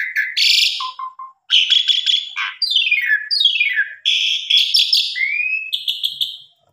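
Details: Asian pied starling singing as a lure for other birds: scratchy bursts, short low notes, downward-sweeping raspy phrases and a rising whistle at the end, all in a continuous varied stream.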